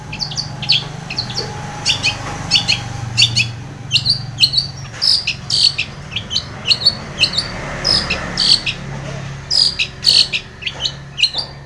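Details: Long-tailed shrike in full song, used as a lure to make a stressed, silent shrike sing: a long run of high chips, squeaks and brief whistles in uneven groups, with a soft low drone throughout.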